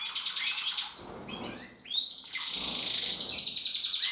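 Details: Captive mosaic canaries, 2024: scattered whistled notes and chirps give way to a long, even, fast-pulsed high trill lasting about two seconds.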